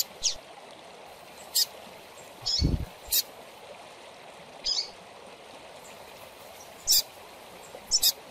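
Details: Young double-collared seedeater chick calling, used to stimulate captive birds: sharp, high, broadband chirps, single or doubled, spaced irregularly one to two seconds apart, with steady hiss and a low thump near the middle.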